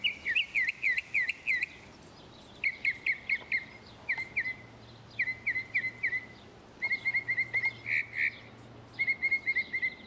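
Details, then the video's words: Northern mockingbird in Texas, where it is the state bird, singing in bursts of repeated phrases: sharp chevron-shaped notes, quick trills and chattering series, each phrase type repeated several times before switching, with short pauses between bursts. "Mockingbirds - Postcard From Texas"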